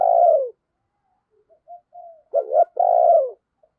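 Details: Decoy spotted dove cooing to call wild doves: a loud falling coo, quiet short murmurs, then a quick stuttered double note leading into a long, steady, slowly falling coo.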